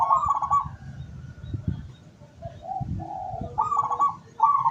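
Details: Local zebra dove kept as a decoy to lure wild doves, recorded 17 August 2023; bursts of rapid, trilled cooing phrases, rolling and slightly descending, repeated with pauses, over low rumbling background noise.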